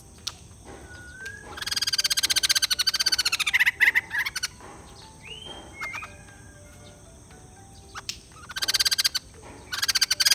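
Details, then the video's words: Purchased white-crested laughingthrush, said to be reluctant to sing, gives a long, fast, raspy chattering run. Short clear rising whistles come between the chatter bursts, and two further brief bursts of chatter close the clip. "Beli Poksai Jambul males bunyi, dengar suara ini malah GACOR"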